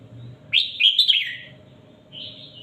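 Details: Red-whiskered bulbul, a caged songbird, giving master-style tutor song for counting phrases: a short warbled phrase of bright, slurred notes lasting about a second, then a softer high whistle, over a faint low hum.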